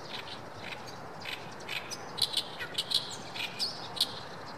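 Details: Oriental reed warbler singing at a Shinkai rice paddy on 7 May 2014: scattered short, harsh, grating notes, louder toward the end, over a steady hiss of background noise.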